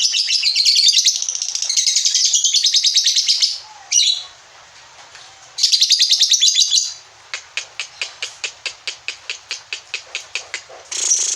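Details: Pet lovebirds in ngekek mode: long bursts of shrill rapid chatter broken by brief silences, then a run of evenly spaced sharp clicks at about two per second before the chatter resumes.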